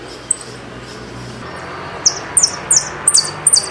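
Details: Saffron finch song, known locally as jilguero argentino: after a quiet start, a run of high, sharp downslurred chips repeated in quick succession over the last second and a half.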